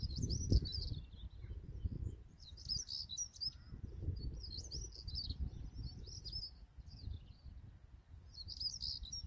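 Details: European stonechat recorded at Greenham Common, 28 March 2022: rapid runs of high, scratchy twittering notes in near-continuous short bursts, with low wind rumble underneath.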